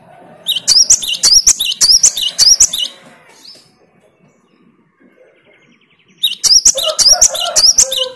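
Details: Great tit singing back to a lure bird's song, with sharp, ringing, high-pitched two-part phrases repeated rapidly, about five in a row, then silence before another run begins.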